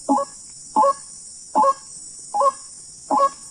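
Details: Wild white-breasted waterhen, recorded while hunting birds, repeating a harsh, honking croak five times, roughly every 0.75 seconds, over a constant high-pitched hiss.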